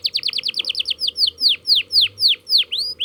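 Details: Young-style canary song while learning to roll: a quick series of falling chirps slows into steady loud downward-swept whistles, roughly three to four per second.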